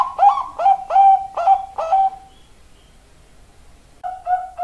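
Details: Loud zebra dove call: five quick, clipped cooing notes with a slight upward inflection, then about two seconds of near silence before two more notes start the next run.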